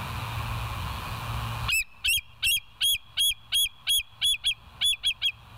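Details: ['Live-cam bald eagles, 20 August 2023 at 14:52: steady hiss gives way to a fast chattering series of around eleven high, squealing piping notes, some paired, running nearly three per second to the end.']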